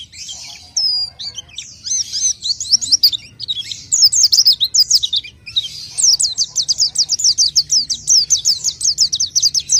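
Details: Orange-headed thrush, or pelci, singing a long varied song: scattered whistles and slurs build into rapid bursts of sharp high notes, finishing with a steady quick run of repeated chips.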